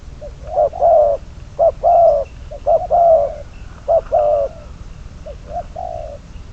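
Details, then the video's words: Spotted dove kept as a decoy for bird trapping gives paired coos, short then long, repeated about once a second before fading to softer notes at the end. "Bẫy cu gáy mồi, con số 22, cuckoo trap, bird number 22 !"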